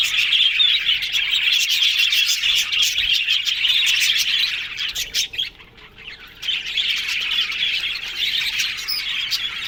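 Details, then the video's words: Group of yellow budgerigars chattering happily, fast overlapping chirps and warbles that fall nearly silent for about a second midway before the busy chorus resumes. "Yellow Budgies Talking Sounds Happy"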